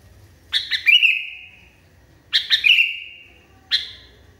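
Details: Sooty-headed bulbul singing in an agitated mood, two phrases of quick clipped notes melting into a sustained, gently descending whistle, then a lone sharp chip; roughly one phrase every two seconds.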